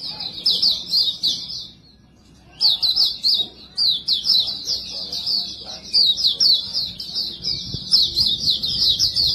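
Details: White-eye (pleci, Montanus type) giving a flowing, high-pitched twittering warble suited to luring other birds; a brief pause near two seconds, then continuous rapid notes stream on to the end.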